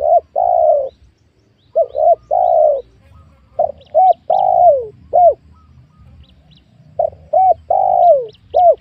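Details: Spotted doves on newly worked small oil palm land where wild ones are being lured: repeated low cooing phrases of short curved notes and long drawn coos, with faint high chips of small birds between.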